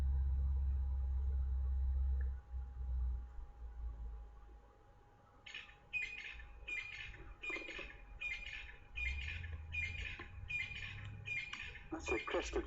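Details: A crested francolin near a den site on a dry, dusty day (22 August 2015) breaks into loud, harsh, rasping notes about every half-second, after several seconds of low wind rumble and faint hum. It is possibly the same bird that startled the animals earlier.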